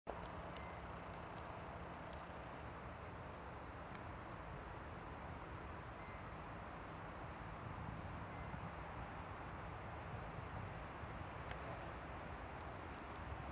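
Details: Common kingfisher (Alcedo atthis) at ponds by the old brickworks in Vrhnika, Slovenia, 18 October 2022, gives a quick run of about seven thin, shrill piping notes over a steady low rumble of distant traffic.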